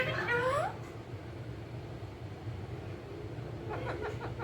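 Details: Pet rose-ringed parakeet, a green ringneck, in a small room: a brief harmonic voiced phrase that rises, then fades, with faint harmonic chatter near the end and low room hum throughout.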